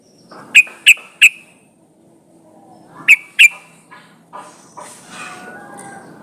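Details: Female sooty-headed bulbul calling for a male with three sharp, evenly spaced notes, then two more, followed by scattered faint rustling and other soft sounds.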